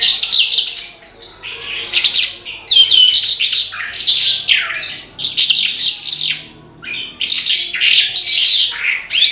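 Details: Horsfield's bush lark singing vigorously: dense, rapid bursts of high, buzzy and twittering notes with sweeping slurs, delivered in phrases of one to two seconds separated by short pauses, with no other sounds.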